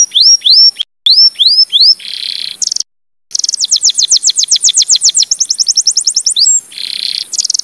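A Timbrado canary sings a bright, high song of rising whistled notes, a buzzy passage and fast rapid trills, with two brief silent gaps.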